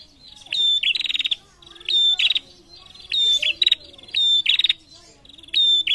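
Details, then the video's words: A female prinia calling actively, answered by a male, gives high, rasping chattering bursts with a thin whistled edge, about five in six seconds, each about half a second long, over a faint low hum. "SUARA PRENJAK BETINA GACOR SAUT JANTAN"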